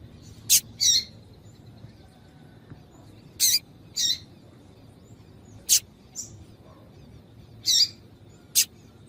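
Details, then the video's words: Calls of a female double-collared seedeater meant to warm up a male into song: paired high chips, a sharp click then a scratchier note, repeated four times about every two to three seconds. "Piado de fêmea de Coleiro para Esquentar Coleiro frio"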